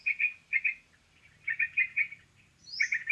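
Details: Sooty-headed bulbul lure for trapping: bursts of two or three bright chirps separated by short pauses, a soft low hum beneath, and a sharp upward squeal near the end.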